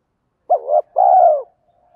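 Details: Spotted dove calling coo meant to lure wild birds. A short wavering note, a brief pause, then one long, steady, pulsing coo that sinks at its close, with nothing else heard.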